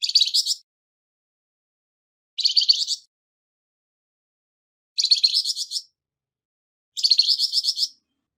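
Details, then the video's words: Flamboyan bird in harsh voice, used to tutor songbirds; four grating bursts of quick buzzy pulses, about two seconds apart, nothing else audible. "Burung Flamboyan Suara kasar"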